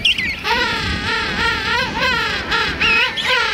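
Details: A King Penguin in a colony of thousands at Right Whale Bay, South Georgia Island, Christmas morning 2008; a loud musical trumpeting call of pulsed, undulating notes in short phrases, repeated several times.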